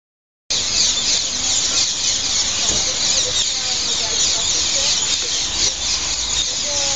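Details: Hundreds of green parrot-like birds gathering in the evening to roost in three or four trees in front of Heidelberg main station, Germany; a dense, unbroken wall of shrill, high squawking chatter.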